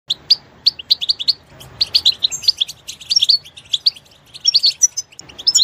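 A goldfinch sings a quick, tinkling run of high twitters and chirps, with short trills and buzzy notes tumbling over one another in a steady stream.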